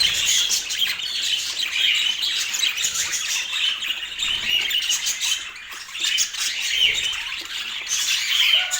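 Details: Chattering budgerigars in Portland: a steady, busy wash of high twittering and scratchy squawks that rises and falls in loudness but never stops.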